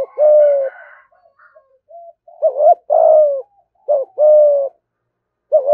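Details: Spotted dove 'thúc gù' cooing meant to lure wild doves quickly to the perch to fight. A long, low opening coo, soft scattered notes, then repeated pairs of short bouncy notes and sustained, falling coos.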